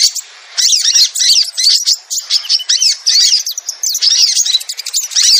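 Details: Crimson sunbird lure call for attracting the birds down: dense, high, rapid twittering chirps in bursts of about half a second to a second, separated by brief pauses.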